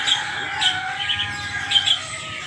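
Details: Helmeted friarbird, known locally as koak kaok, a kept bird being trained to become tame and sing freely; short bright squeaky notes come in a few bursts over a steady low hum.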